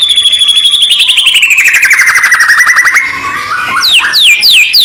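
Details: White-rumped shama song used as training audio before a song contest: a loud, long, rapid rattling trill sliding slowly downward in pitch, then a pause and a run of bright, quick, falling whistled notes.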